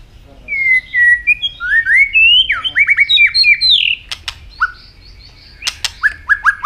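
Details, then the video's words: Varied, whistled song of a robin from Asia: a flowing sequence of sliding, rising and falling notes, some slurred, interrupted by sharp clicks, then a few short downward-swooping notes. "Robin singing"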